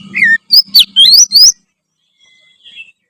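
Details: Short burst of oriental magpie-robin song, a few quick rising whistled sweeps and chirps over a faint low hum, then a soft drawn-out whistle after a pause.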